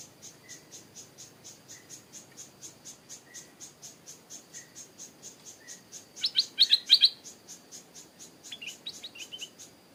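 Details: Behind a house, a young male Stripe-throated Bulbul, calling much because its mate is nearby, gives a brief burst of loud, bubbly chattering notes, then softer ones, over fast insect ticking.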